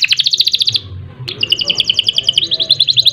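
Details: Canary (kenari) song in a rolling style: a quick pulsed trill of bright notes, a short pause, then another rapid series of sharp high chips repeated several times a second.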